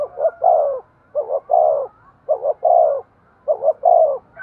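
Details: Spotted dove cooing excitedly, used to rouse decoy birds: four evenly spaced phrases roughly a second apart, each two quick low notes then a longer, downward-sliding coo, on a quiet background.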